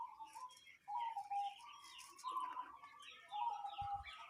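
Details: Local zebra dove giving what is called a strange call: warbling, wavering phrases around a mid pitch, broken by short pauses, while many other small birds chirp and twitter at higher pitches throughout.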